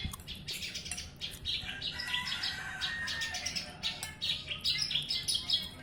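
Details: Javan bush lark singing persistently in Jombang, East Java, Indonesia, recorded as a tutor song for other birds. Bright, high chirps and short whistled phrases pour out quickly over faint background hum.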